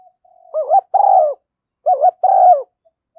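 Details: Spotted dove lure call described as a female's decoy coo: two phrases about 1.5 seconds apart, each a quick rising two-note hiccup into a long, hoarse, downward-sliding coo, after a soft lead-in note.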